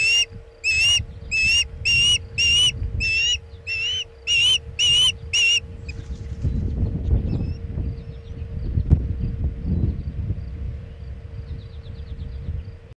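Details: Osprey calling at a Chesapeake nest as a bluefish tail is delivered in the afternoon of 27 August 2019: about nine loud, piercing whistled yelps in quick succession, then wind rumble and faint chirps with a steady low hum.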